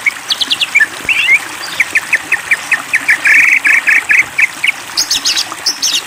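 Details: White-rumped shama provoked into song: a series of short sharp high notes repeated rapidly, building into a dense stuttering trill, then high scratchy notes at the end.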